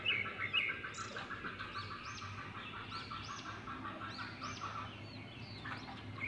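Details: Edible-nest swiftlets, called balinsasayaw, nesting birds in a stone house, give many overlapping thin chirps and rising, arched tweets, some high and sharp, repeated rapidly over a low background hum.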